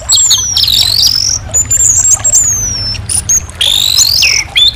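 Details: Orange-headed thrush singing clear, high, drawn-out whistled notes, some sliding down and others rising, broken by short bright chips and brief pauses, over a faint low background hum.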